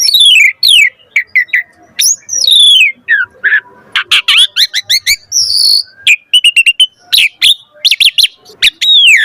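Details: Asian pied starling delivering 'gacor' varied song to encourage other starlings to sing: descending whistled slurs, clicks and quick stuttering note clusters alternating with brief pauses, bright and high throughout.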